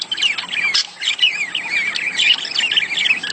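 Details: Budgerigar mating warble used to get the female laying: a continuous wavering, nasal chatter of rapidly bending notes with one short break near the start.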